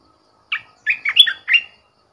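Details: Red-whiskered bulbul decoy bird gives a crisp phrase: a lone chirp, then a tight run of four or five rolling whistled notes.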